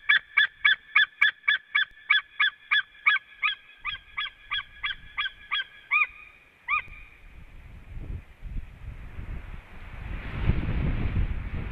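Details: White-tailed eagles calling at a Latvian nest as the male returns, 23 February 2017 around 12:05; a regular series of ringing yelps that slows and ends after about seven seconds, followed by rising wind-like rushing noise.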